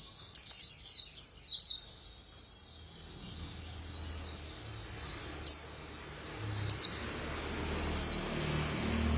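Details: White-eye performing fast khuyên líu singing: an opening burst of about six quick, sharp high notes, then softer trilling and three isolated bright chips spaced more than a second apart, with low background rumble.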